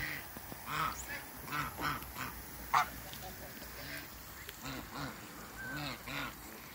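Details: A pair of African geese in a backyard with other waterbirds: low arched honks repeated in a quick series, mixed with fainter higher calls and steady background noise.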